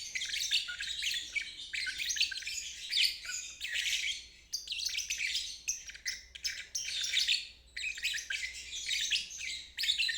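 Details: Lovebird in full ngeriwik song, played to teach fledglings and to revive birds that will not sing. Sustained, scratchy, high twittering runs last for seconds, interrupted by a few brief pauses.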